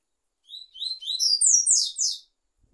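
A double-collared seedeater gives a quick, high phrase of slurred, sweet notes that climb and brighten over under two seconds, with no other sounds.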